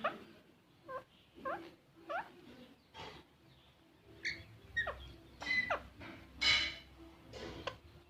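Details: Green parrot calling with repeated short chirps that rise and dip in pitch, building to louder, rougher squawks near the end, roughly one call per second.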